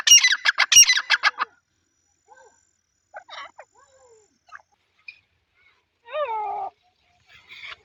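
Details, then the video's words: Grey francolin (teetar) calling: a loud burst of harsh, rapidly repeated notes lasting about a second and a half, followed by scattered faint chirps and one clear whistled note. "teetar ki boli/teetar voice/ teetar sound"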